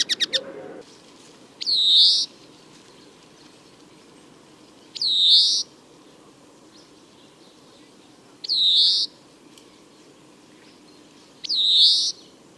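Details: Male European greenfinch in spring, captured with a Telinga PRO parabola, Stereo MK3 microphone and Tascam DR-22WL, giving its typical drawn-out buzzy "vzhik" wheeze four times, about every three seconds, after a few brief chirps at the start.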